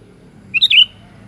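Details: Short kutilang phrase: two quick chirps running into a slurred, liquid warble, the sooty-headed bulbul heard clearly above a faint low background hum.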